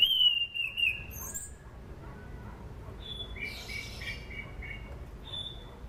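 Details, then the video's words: Lure song of an anis cendana thrush for training birds: a ringing descending whistle followed by softer mixed twittering notes. "SUARA ASLI ANIS CENDANA ..COCOK UTK PANCINGAN AM,AK DAN AC"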